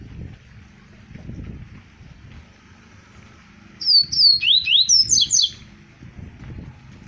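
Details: After a few quiet seconds of faint low background noise, a double-collared seedeater from Arapiraca, Alagoas (2020) bursts into a rapid phrase of about eight high whistles, alternating falling and rising slurs.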